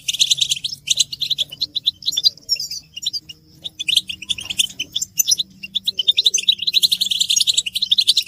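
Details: European goldfinches in a group chorus of mating and readiness calls meant to stimulate males to sing: dense, rapid twittering and buzzy chatter in bursts, with short pauses near the middle, over a faint low hum.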